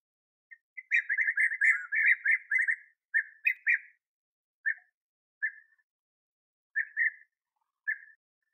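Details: Bee-eaters at their last nest burrow while the young are still being fed, on 8 August 2017, sunny at 21°C; a rapid run of rolling, burry notes is followed by single calls spaced about a second apart.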